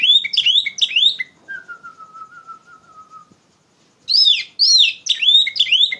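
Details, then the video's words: Loud Oriental magpie-robin trigger song used to train young magpie-robins. Fast, sweeping high whistles open, then a long wavering lower whistle slowly falls, before another vigorous burst of slurred notes. "PANCINGAN KACER NGEPLONG GACOR SUARA LANTANG COCOK UNTUK MASTERIN POCI BAHAN"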